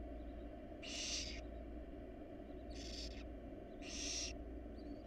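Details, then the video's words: Wild barn owls, a family in their nest box, give three rasping hissed screeches, each under half a second, with quiet gaps between, steady low hum behind. "barn owl family inside their nest box"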